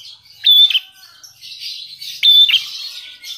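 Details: Lovebird copying the Javan prinia (prenjak alas) as part of its song: two loud, flat, high whistles, each ending in a quick downward slur, set in soft continuous twittering.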